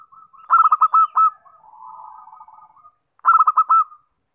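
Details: Zebra dove phrase meant to attract birds: a quick series of stuttered, rising coo pulses, then a quiet, purring, lower roll, then another crisp, bubbling burst of pulsed notes.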